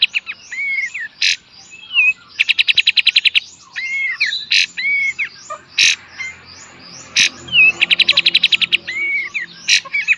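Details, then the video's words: Busy kapas tembak song in full beset and tembak style, a training master for cage birds: repeated harsh buzzy bursts alternating with fast rattling trills and short curved whistles, pattern repeating twice. "KAPAS TEMBAK FULL BESET DAN TEMBAK | MASTER GURU BURUNG KICAU"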